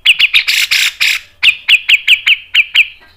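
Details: Cucak jenggot, the grey-cheeked bulbul, in a lure recording used as masteran with fast tight phrasing. A few rasping buzzy notes lead into a regular run of short, sharp, downslurred whistles.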